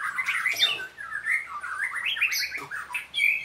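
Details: White-rumped shama in training, singing energetically: choppy whistled phrases wobble up and down, mixed with rasping squawks and a bright high whistle closing the passage.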